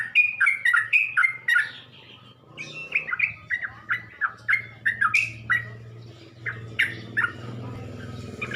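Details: Provoking lure of sooty-headed bulbul song: steady chains of cheerful slurred chirps, two bursts separated by a short gap, over a continuous low mechanical hum.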